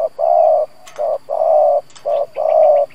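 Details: Decoy spotted dove cooing to provoke wild doves: long, level, mellow coos alternating with shorter notes, with sharp clicks between them and a faint chirping series at the end.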